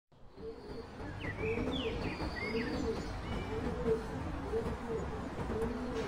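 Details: White-quilled rock pigeon (Petrophassa albipennis) giving a low, even cooing note repeated about twice a second, with brief higher chirps and whistles from other birds above and a steady background hiss.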